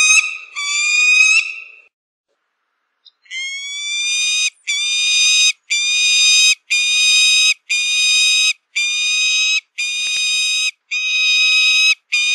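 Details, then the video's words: Falcon delivering a few shrill screams, pausing about a second, then resuming with a regular run of eight harsh, flat notes separated by short gaps. "Suara melengking burung alap alap (falcon bird song)"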